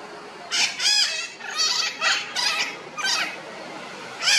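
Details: Red-shouldered macaws returning about an hour after leaving early in the morning to check that their nest has not been taken; harsh, raspy squawks in six separate bursts, each under half a second.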